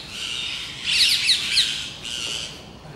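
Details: Overexcited rose-ringed parakeets mobbing a red squirrel among plane trees along an avenue of the Versailles gardens, France; a continuous harsh, rasping squawking with overlapping shrill notes that swells and then eases.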